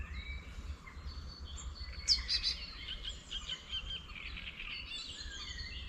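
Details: Spring birdsong from rural countryside beside a small wetland, near a village edge; a mixed chorus of high twittering and thin whistles, with one brief louder burst of sharp chirps midway, over steady low background hum.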